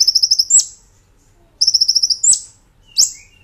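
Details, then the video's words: A master recording for training cage birds of a brown-throated sunbird (kolibri ninja), 'nembak ngerol' style: two rapid high stuttering trills, each capped by a sharp upswept note, then a lone shrill upslur. "Masteran Kolibri Ninja Gacor Nembak Ngerol"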